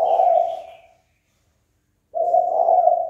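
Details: Spotted dove calling to stir up a rival for a fight. One deep, mellow coo trails off, then about a second of silence follows before the next steady, low coo begins.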